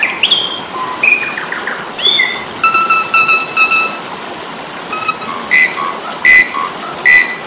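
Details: Asian pied starling in fighting song, a tutor recording: clear whistles with a rising glide, repeated flat harmonic notes, then several evenly spaced sharp chirps in the last seconds over background hiss.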